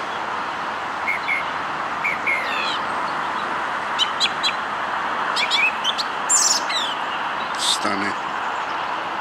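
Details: Song thrush singing in early-morning darkness at South Lake, moving between perches near a road: short, bright phrases of repeated high notes, each separated by brief pauses, over a steady hiss of background noise.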